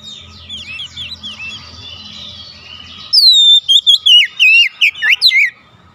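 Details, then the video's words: Oriental magpie-robins exchanging calls: soft, distant twittering gives way to a loud close bird pouring out rapid, slurred whistles that dip and climb, roughly two to three notes a second. "KACER MEMANGGIL KAWAN | KACER LAIN LANGSUNG RESPON GACOR"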